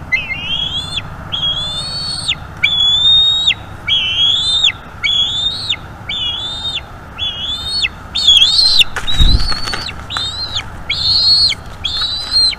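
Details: Eaglet of the Bald eagle calling persistently while being fed by its mother at a northeast Florida nest in May; steady series of high whistled notes, each level then falling sharply, repeated about every second, with a brief low thump partway through.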